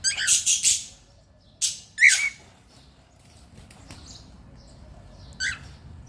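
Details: Pet cockatiel giving scattered harsh squawks: a quick cluster of three or four rough bursts at the start, two more about a second later, then near silence before a single short scratchy call near the end.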